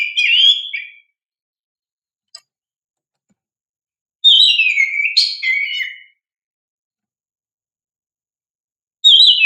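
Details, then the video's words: Oriental magpie-robin singing vigorously, a lure recording for young untrained birds: loud whistled phrases sliding down from high to mid pitch, with bursts of rapid notes, separated by long silent gaps; clean background. "Pancingan Kacer GACOR"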